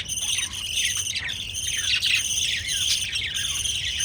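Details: Pet lovebirds feeding their chicks, giving an unbroken stream of high, scratchy chirps and quick rising and falling squeaks from several overlapping voices.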